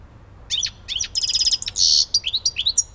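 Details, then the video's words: European goldfinch from Elbasan giving a quick, bright song phrase of tinkling chirps, a rattling trill and a buzzy, sizzling note, followed by more sharp twitters and a thin whistle. "civit elbasani"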